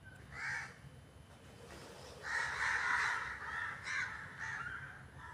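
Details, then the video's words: Crows making noise: one short raspy caw, then a long drawn-out hoarse cawing passage with several overlapping voices, followed by shorter caws. "Crows are making Noise"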